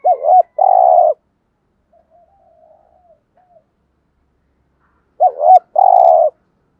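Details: Decoy spotted dove giving two thúc gù phrases about five seconds apart. Each has a twisting double coo and a steady harsh purr, with faint, low cooing murmurs in between.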